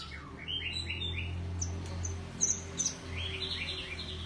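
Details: Golden shama, a white-rumped shama, giving short descending whistled notes in quick runs at the start and end, with a few sharp high chips between, over a constant low hum.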